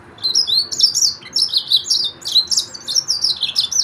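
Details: Lively, unbroken warbling from a Yellow-fronted canary, the Mozambique Sudan finch, made of quick high slurred notes repeated in rapid pulses of roughly two to three per second.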